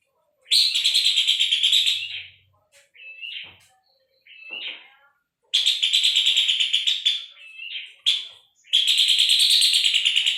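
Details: Puff-throated babbler song used as tutor material for training long-tailed shrikes and magpie-robins: long harsh rattling bursts of rapid pulsed notes, each over a second, separated by softer short whistled phrases; no other sounds.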